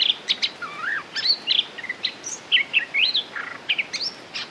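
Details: A red-whiskered bulbul (Pycnonotus jocosus) sings a lively string of short, bright whistled phrases, some rising and some falling, several each second, over a faint steady hiss.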